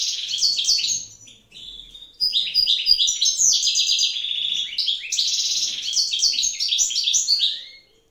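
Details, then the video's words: Wild European goldfinch of a pair, sung in the evening as the female sits on eggs; long bursts of fast liquid twittering and buzzy trills, with a short lull near two seconds before the song resumes. "chant chardonneret sauvage,"couple" غناء رائع في المساء لطير الحسون اثناء حضن الأنثى للبيض"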